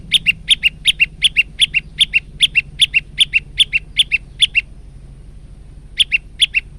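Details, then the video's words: Male prinia on a training recording: quick two-part chirps, high then lower, repeated rapidly for over four seconds, then a pause and a short resumption of the same pattern. "masteran burung prenjak lumut jantan"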